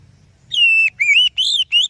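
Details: Oriental magpie-robin song used as a lure to coax other birds into singing: a long, pure, level whistle followed by rising, slurred whistled phrases, clear and loud against a quiet background.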